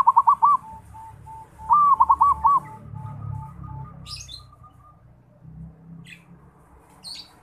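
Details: Zebra dove from Bali, called perkutut lokal, learning to sing: two short bursts of rhythmic rolling coos, each followed by a long row of soft evenly spaced notes, with scattered high chirps of other birds.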